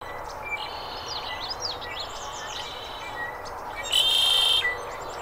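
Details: Red-winged blackbird in the Arizona Sonoran desert giving a harsh, buzzy trill near the end, set against a busy background of high chirps and whistles from other birds.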